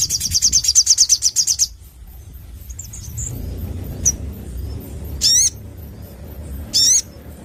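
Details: Crimson sunbird in full 'gacor' voice: a quick, high, buzzy-metallic trill of rapidly repeated notes for about one and a half seconds, followed by scattered thin chips and two sharp rising sweeps.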